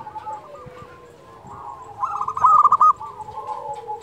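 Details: Zebra dove singing, a local bird kept as a tutor for silent doves: quiet murmuring coos, then a loud fast run of bubbling, stuttered notes.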